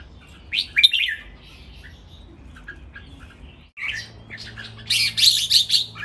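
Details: Three caged red-whiskered bulbuls give a training master song: an early cheerful warble, quiet chips, then a dense, loud, higher burst of overlapping chattering notes toward the end.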